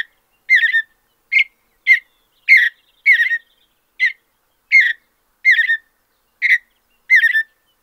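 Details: Steady series of short, burry whistled phrases from a mountain bluebird in natural open habitat, roughly one every half to one second, with clean silence between.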